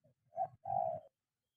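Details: Spotted dove being trained to call on the ground gives one soft, low coo phrase: a short note followed by a longer, steady hooting note.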